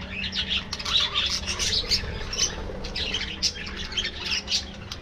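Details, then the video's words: An aviary flock of budgerigars eating in the afternoon, giving dense, continuous high chattering with rapid scratchy chirps and squawks layered over one another, a low hum underneath. "Budgies Enjoying Afternoon Diet"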